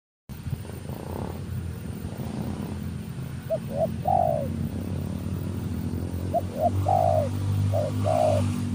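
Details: Spotted dove kept as a lure bird, repeating its coo phrase three times: quick soft introductory notes then a fuller descending coo, over constant low engine-like rumble.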